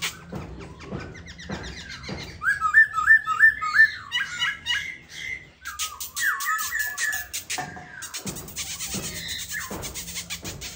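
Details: Caged Silver-eared laughingthrush, a Vietnamese songbird, delivering a loud varied song of rapid whistled trills and zigzag phrases in bursts, with clicking sounds and some broadband noise between phrases.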